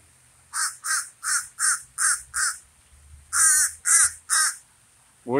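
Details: Common raven giving a run of six harsh, evenly spaced caws, then after a short pause four louder, rougher caws in quick succession.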